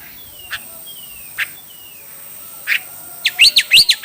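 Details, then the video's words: Chinese hwamei in a song contest: a few faint, thin descending whistles and soft clicks, then a burst of loud, rapidly looping warbled notes near the end. "Coob quaj sib thib(Hoạ mi hót đấu)"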